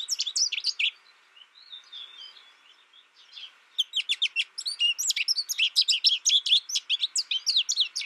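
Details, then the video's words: Bursts of quick, high twittering from an American goldfinch; an opening second of notes, a long softer stretch of faint warbles, then a dense, energetic run of sharp chips and slurs. "American Goldfinch Sound"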